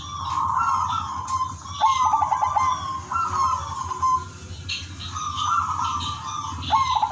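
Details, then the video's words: Zebra dove of the silver Udan Mas type singing a melodious, rhythmic song to lure other doves. Rolling trilled bursts alternate with long, even coos, about three phrases, with a low hum and thin high whine underneath. "perkutut udanmas silver gacor irama merdu jadi pancingan semua perkutut"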